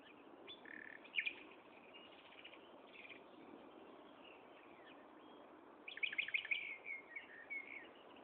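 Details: Nightingale song recorded 16 May 2012 at 15:30 in Gaasperzoom: scattered whistles and a sharp note early, later a dense phrase of fast repeated notes ending in short whistled flourishes, over continuous hiss.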